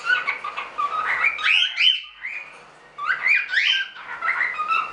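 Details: Captive standard cockatiels from a small hobby breeding of show birds give a run of bright, rising whistled chirps and warbles. Several birds call over one another in loud bursts separated by brief pauses.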